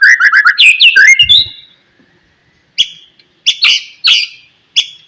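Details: White-rumped shama singing in the morning to spur other shamas: a quick string of ringing whistled notes, then a silence, then several separate harsh, scratchy chack notes.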